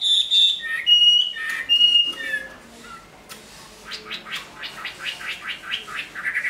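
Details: A large captive Chinese hwamei, kept as a singing and fighting bird and finishing its moult into new plumage, opens with loud, varied whistles and slurred phrases, then drops into a softer, rapid series of repeated chattering notes.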